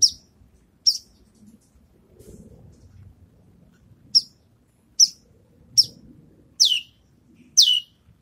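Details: Javan bush lark practising songs after its moult: scattered short high notes, some sliding downward, spaced irregularly about a second apart, rather soft over a low murmuring background.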